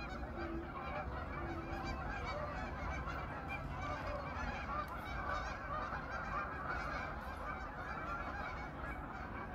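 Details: Evening at the pond in autumn as 500 to 800 geese gather to spend the winter; a loud, continuous chorus of overlapping honks with occasional sharper notes and a deep rumble behind.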